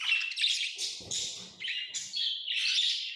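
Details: Shrill, grating chirps from tame lovebirds run almost without a break, harsh buzzy notes shifting in pitch, with a soft low rustle in the middle.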